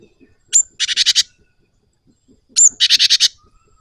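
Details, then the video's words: Java sparrow in rolling song: twice a high thin whistle leads straight into a quick series of five or six buzzy chips, about two seconds apart. "SUARA BURUNG GELATIK GACOR TINGKAT DEWA NGEROLL"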